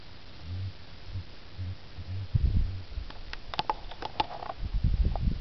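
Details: Blue grouse giving soft, very low hoots in a short series, each about half a second apart, followed by loud rustling and thumping handling noises.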